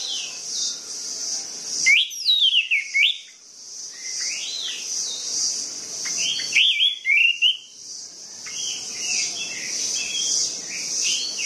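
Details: Lure recording of orange-headed thrush song for prompting lazy, non-singing birds: two bursts of loud, varied whistled phrases with quick rising and falling slurs and chattery notes, softer whistles between, all over a constant high buzzing drone.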